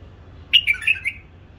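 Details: A captive-bred hybrid bulbul gives one brief phrase of four quick, liquid, bubbling notes in a mid-high register. The background is quiet apart from a low indoor hum.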